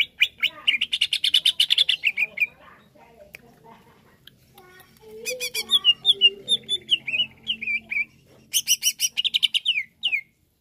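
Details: Greater green leafbird song meant to agitate other leafbirds. A fast, buzzy chatter is followed by a pause, then a varied run of sharp whistled notes and slurred phrases, ending in another rapid chattering burst. Faint low background sounds are present.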